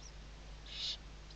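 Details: Western barn owl on a webcam at Riet Vell Nature Reserve, Ebro Delta, Tarragona, Spain, morning, 2023 season: a single short breathy hiss, with steady low hum beneath.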